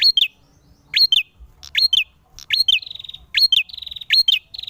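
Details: Male ashy tailorbird in fighting mode, singing hard: sharp rising high notes with quick falling twitters, about every 0.8 seconds, several followed by drawn-out buzzy trills.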